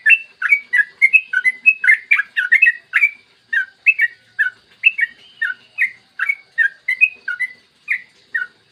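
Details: Clear morning song of a yellow-vented bulbul, a long rapid sequence used as a lure for other bulbuls: dense chattering at first, easing into evenly spaced, bright, slurred notes.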